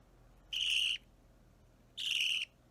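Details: Hand-fed budgerigar chick roughly three weeks old begging at feeding time: two buzzy, hoarse raspy squawks, each about half a second long, spaced about a second and a half apart over a quiet indoor background.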